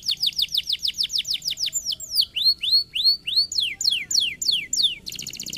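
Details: Singing canary meant to prompt other canaries: a quick run of steep downslurred notes, then repeated rising arched whistles and fast falling notes, closing on a brief buzzy trill.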